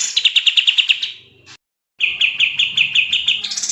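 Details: Sooty-headed bulbul (kapas tembak) giving rapid, dense gacor song as a tutor recording: a fast run of bright clipped notes trailing off, a brief silence, then another steady chattering series rising at the end.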